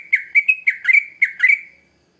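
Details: Short sooty-headed bulbul phrase used as a lure for young birds: six or seven quick, clear whistled notes in pairs, slurring down and up, then trailing off into silence.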